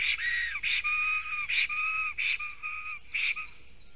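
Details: Black storks at a Latvian nest during a fight between two males, June 2020 morning: long, drawn-out tonal notes with a lower whining tone beneath, broken by short harsh bursts, over faint background hum.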